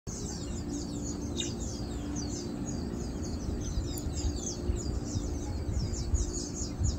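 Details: Chestnut munias feeding on 7 August 2022 give a dense chatter of thin, high chirps and short downslurred notes overlapping throughout, over a steady low rumble of background noise.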